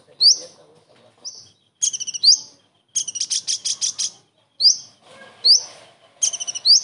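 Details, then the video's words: Common iora song full of kingfisher mimicry, recorded as tutor material for other birds. Upswept whistles alternate with long rapid stuttering trills, one lasting over a second, and the phrases come in quick succession. "KONIN ISTIMEWA ISIAN TENGKEK UDANG"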